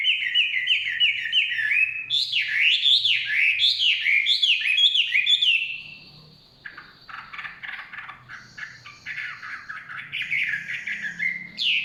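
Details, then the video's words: Long forest song of a Chinese hwamei: rapid repeated whistled notes, then loud swooping up-and-down phrases, a short lull, then scratchier mixed notes and renewed clear whistling. "Nikmatnya kicauan wambi/huamei hutan"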